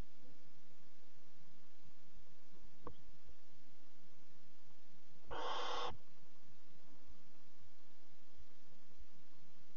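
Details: Barn owl at a nest at 3 a.m. on 26 July 2017, the mother arriving with a bird as prey for the fourth chick; one harsh, breathy hiss of about half a second, with soft low rumbles from the nest box.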